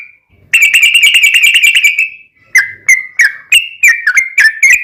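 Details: Lure song of a yellow-vented bulbul for making caged birds reply: a rapid bubbling trill of whistles lasting over a second, then a pause and a string of separate, clear chirped notes.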